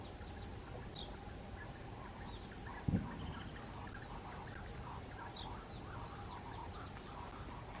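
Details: Blue-black grassquit (Volatinia jacarina), song.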